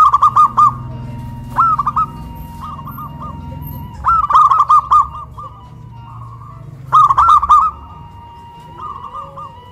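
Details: Local zebra doves in Kuningan, West Java, big voice versus crystal voice, cooing strongly after being raised on a pole. Several bursts of rapid, rolling coos alternate with softer phrases over a low background hum.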